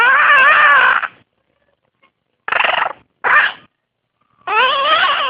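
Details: Pet blue-crowned conure as a baby, practicing talking: a long grating, warbling call of about a second, two short raspy bursts, then another drawn-out wavering call, with quiet gaps between.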